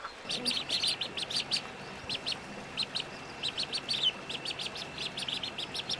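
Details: Little ducks giving thin, high peeps in quick bursts and clusters, soft and continuous over a faint hiss.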